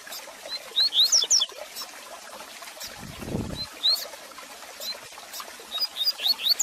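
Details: Double-collared seedeater singing, meant for warming up and teaching a caged male: a brief high twittering slur phrase, a lone whistled note later, then a fresh run of rising slurs at the end, with a short low rumble midway.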